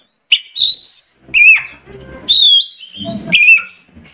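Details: Oriental magpie-robin (kacer) lure song for prompting another bird to sing: four strong whistled phrases about a second apart, each a sharp upward-slurred note with a ringing tail, with faint low rustling between them.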